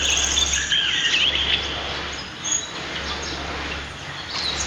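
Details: Pied fantail, locally maria capra, around its nest in a backyard in Prenza, Marilao, Bulacan, Philippines. A brief burst of high twittering notes at the start, then fainter chirps over a steady background hum.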